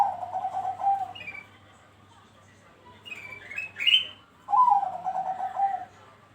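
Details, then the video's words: A zebra dove (perkutut Bangkok) gives soft, rapid, rolling coos in two bursts, used as a lure to set other doves calling; higher, sweeter notes from other birds sound in between. "Pancingan Burung perkutut Bangkok bikin Rajin ikut Bunyi"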